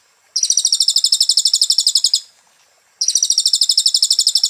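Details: Tutor song of a kolibri ninja (sunbird) from Temanggung, Central Java, used to train cage birds. Two long rattling volleys of fast, evenly spaced, ringing high notes are separated by a half-second gap.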